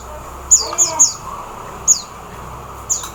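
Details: Oriental white-eye in the Philippines giving thin, very high chirps that slide downward, five in about three seconds: a quick cluster of three, then two spaced notes, over a soft background hiss.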